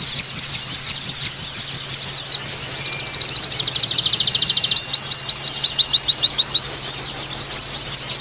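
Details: A white-eye sings a 'tembakan' style variation: thin high chips, then a sudden dense, rapid trill lasting about two seconds, then quick upslurred whistled notes and sharp chirps, with a soft background hum.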